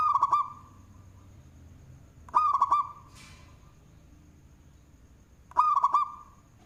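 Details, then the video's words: Big-voiced local zebra dove in full song, kept as a lure. Three rolling, slightly warbled coo bursts at a steady mid pitch are separated by pauses. A brief hissy noise falls between the second and third bursts. "Perkutut Lokal suara BESAR Manggung, Cocok untuk pancingan"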